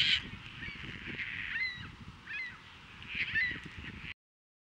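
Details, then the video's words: Caspian terns in courtship on April 22, 2024, at Montrose Beach, Chicago, catching and offering fish. A strong rasping cry opens, followed by softer harsh notes and thin sliding squeals before the sound cuts off. "CASPIAN TERNS courtship: catch fish, offering, mating"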